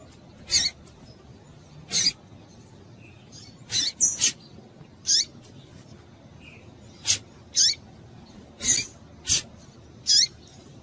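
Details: Calls of a breeding-condition female Double-collared seedeater, given to stimulate males. Brief high-pitched chips repeat roughly every second, some doubled, about thirteen in all, against a quiet low background hum.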